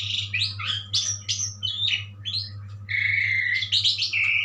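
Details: Asian pied starling song, described as a powerful song: a varied run of whistled and chattering notes, some rising and falling, then longer steady whistles near the end, over a constant low hum.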